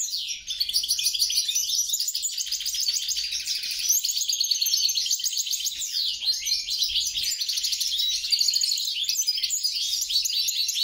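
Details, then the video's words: Crossbred goldfinch, Carduelis carduelis × Carduelis caniceps, pouring out a long, rapid warble of buzzy trills, rising and falling sweeps and sharp tweets without pause. "bastard, mule, carduelis carduelis x carduelis caniceps."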